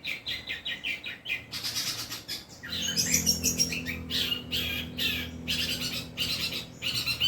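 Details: Long-tailed shrike's mimicry song with 'kuntilanak' and 'greja petir' imitations: quick scratchy note runs and harsh bursts over a low steady hum.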